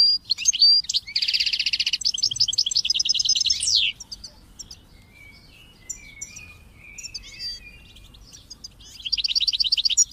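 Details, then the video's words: Goldfinch singing on a recording for training goldfinches and chicks: a dense buzzy trill and fast twittering, a sweeping downward note, quieter scattered chirps, then another rapid buzzy run. "Goldfinches and Chicks Chirps"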